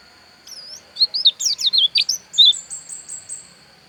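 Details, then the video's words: From Pupuan, Bali, a Javan white-eye known as pleci dakun gives a short lively phrase of about a dozen quick, high, zigzag whistled notes, ending in a series of faint, thin, evenly spaced high chips. "Suara Pleci Dakun Bali Pupuan"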